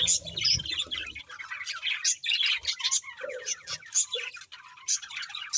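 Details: Budgerigars chirping, a mix of sharp high squeaks, descending warbles and chatter, with a low rumbling noise during the first second.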